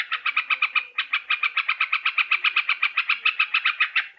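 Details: Sooty-headed bulbul calls used as a trapping lure: a fast, steady run of bright chattering notes, about four per second, with a brief pause near the first second. The background is clean.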